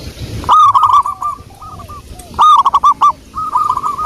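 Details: Loud song of a local wild-type zebra dove, recorded as a lure. It gives repeated punchy, broken coo bursts about two seconds apart, with softer rolling coos from other doves between them.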